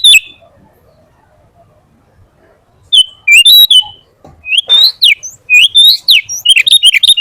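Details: Sooty-headed bulbul (kutilang) in vigorous gacor song, varied 'full isian' style used as a masteran for tutoring: short bright whistled phrases and slurred chirps after a near-silent pause, then a tumbling run of quick notes.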